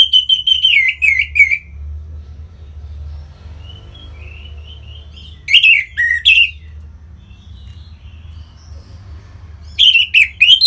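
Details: Orange-headed thrush from North Bali, Singaraja, singing to stimulate other birds to sing: three loud bursts of rich, rapidly varied whistled phrases, separated by quieter soft warbling and a low background hum.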